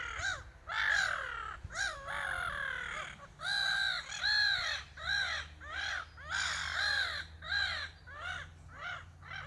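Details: Gulls in noisy exchange, recorded 27 May 2023: a run of short, arched, squawking notes given in uneven bursts, some overlapping as more than one bird joins in, over faint low background rumble.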